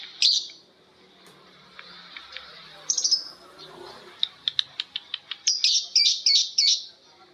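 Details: Lovebirds calling back and forth: sharp single chirps, then a run of quick ticking notes that turns into a shrill, rapid ngekek chatter burst at the end.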